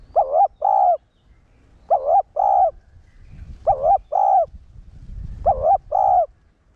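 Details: Spotted dove decoy coo, one-ending style, played to provoke caged males; four evenly spaced phrases, each a wobbling note then a held low coo, roughly every 1.8 seconds, with light background rumble.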